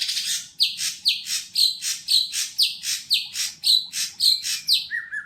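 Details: An untrained greater green leafbird kept in a cage at a bird kiosk sings a long run of loud, scratchy downslurred notes, roughly two per second and very regular, ending in a short whistled warble.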